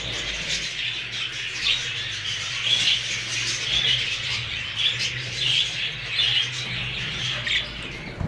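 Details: Newly arrived Hogoromo budgerigars chatter in a thick, high-pitched chorus of chirps and squeaky warbles, with louder bursts roughly every second and a steady low hum in the background.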